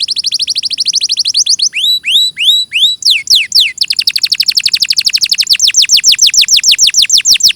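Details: Clear canary song with high whistled phrases, slow drooping slurs in the middle, then a very fast, steady run of short downward-swept notes that carries to the end.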